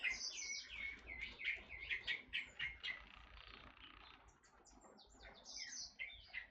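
A Dark-throated Oriole gives a fast run of high, sharp chirps and short slurred whistles, about three or four a second. The calls fade midway, then resume.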